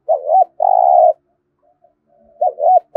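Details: Spotted dove competition cooing (gù đấu) in Đồng Nai, Vietnam, thổ-style voice: a paired short note and a long flat coo, a pause with faint murmurs, then another paired note and the start of a coo.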